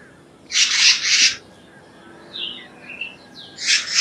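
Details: Black-naped monarch calling with rough, grating notes, two harsh rasps close together, then soft thin chirps and the start of another rasp at the end.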